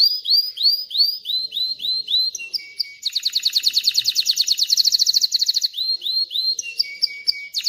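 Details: Canary song used to teach chicks to sing and prepare females for mating: rows of clear upward-sweeping whistles, then a fast, even trill lasting nearly three seconds, then more rising sweeps and a few thin high notes.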